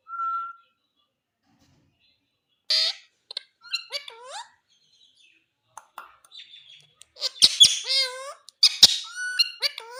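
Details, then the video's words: Indian green ringneck parakeet kept as a pet, talking: a brief whistle, then silence, then bursts of harmonic, speech-like chattering with rising and falling inflected notes and a few sharp squeaks near the end. "Beautiful indian green ringneck parrot talking♥️"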